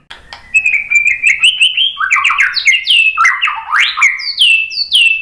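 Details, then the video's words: White-rumped shama singing as a lure to draw replies: a level whistle opens into a fast, rich medley of upward and downward slurred notes, ending with high falling whistles. "suara MURAI BATU bikin cepat NYAUT jadi GACOR BONGKAR MATERI ISIAN ¦ PANCINGAN MURAI"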